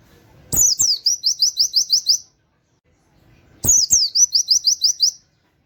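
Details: Oriental white-eye giving its 'nembak' song in 'wit wit' canary style, kept for tutoring other songbirds: two identical bursts, each a sharp opening note and a quick run of seven or eight high, descending whistles, about three seconds apart.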